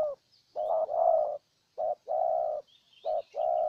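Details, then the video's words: A Vietnamese decoy spotted dove from Ninh Thuận coos to draw in a wild bird. Repeated two-part phrases, a brief coo then a longer level one, with faint distant bird chirps overhead. "Cu Gáy Ninh Thuận clip 144 [ Hiệp 2 ] Mồi Siêu Gù thu phục bổi quá tuyệt vời"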